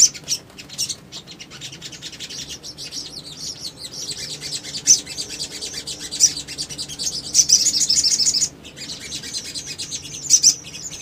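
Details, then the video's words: Male little spiderhunter, played as a lure to make other birds answer: sparse high twittering that builds into a fast, dense burst of piercing chirps, followed by a few isolated sharp notes. "PANCINGAN CEPAT MACET BUNYI SOGON BAHAN IJOAN"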